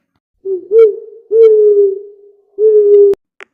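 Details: Owl giving three low, smooth hoots, the middle one long and slowly falling, with short pauses between them and a sharp click at the end.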